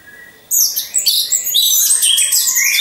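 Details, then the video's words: Orange-headed thrush singing in captivity, birds hung in a row: after a quiet start, a sudden loud burst of shrill, fast, rattling trills and whistles runs on without pause. "Pancingan Burung Anis Merah"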